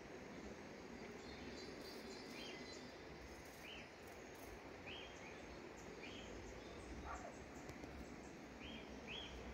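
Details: A pair of Spix's spinetails giving short, high, clipped notes, often doubled, repeated every second or two over a steady hiss of background noise.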